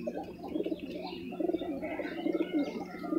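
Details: Bangladeshi Jira (Jiragola) domestic pigeons give low, throaty coos in short rolling bursts, over a steady electrical hum with faint higher chirps from other birds.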